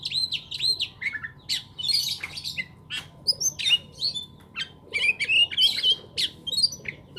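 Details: Lakbet bird in long continuous song, mixing clear arched whistles, sharp clicks and busy twittered phrases in quick succession, over a low steady hum.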